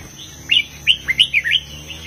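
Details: Brief phrase of red-whiskered bulbul song in the southern master style: five or six clear slurred whistles, rising and falling, in quick succession against a faint steady hum.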